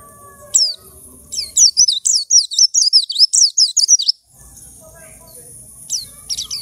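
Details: White-eye kept in a cage, picked from a shared group cage and singing after two weeks. A burst of rapid, high, sharply falling notes runs for about three seconds, then a pause and a couple of single chirps over low hum.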